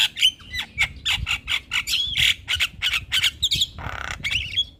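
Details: Javan myna, a gacor jalak kebo song used to stimulate a lazy bird to sing: a dense run of harsh squawks, clicks and whistled notes, rapid and varied, with short rising and falling whistles between broadband rasps.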